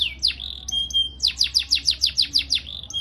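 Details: Canary phrase for young learners, a falling swoop and short whistles, then a crisp run of about ten steeply descending chips at five per second, finishing with a thin whistle.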